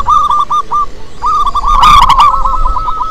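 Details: Loud local zebra dove singing to draw in other doves: a few spaced staccato coos, a brief gap, then a fast continuous run of hooked notes with some clicking sounds.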